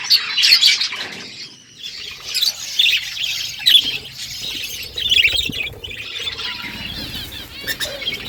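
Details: Morning budgies calling in bursts of high chirps and squeaky warbles roughly every second, separated by short lulls, with steady faint background chatter.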